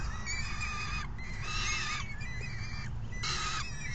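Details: Feeding time for young falcons, June 3 2018: the brood begs as a parent hands out food. Long, quavering harmonic squeals in two or three bursts, separated by brief quieter gaps, over a rumbling background.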